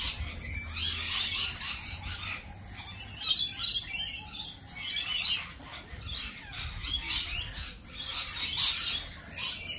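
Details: Lorikeets making high, piercing chirps and screeches in clusters, louder peaks every second or two among steady background twittering.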